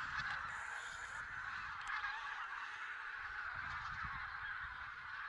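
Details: Counted goose flock in Silesia, 11–13 November 2016, maybe including Barnacle, White-fronted, Greylag and Bean Geese; a somewhat distant, softer murmur of massed honks, steady and continuous with occasional nearer calls.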